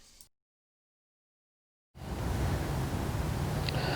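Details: A moment of silence gives way to steady low rumbling noise, like wind or traffic, with no animal calls.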